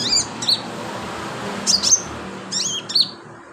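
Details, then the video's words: Sunbird in full song as filler material for training birds: paired high, sharp chirps and rapid slurred notes repeated in short bursts about every second, with low background noise. "BURUNG KOLIBRI/CONIN GACOR buat isian"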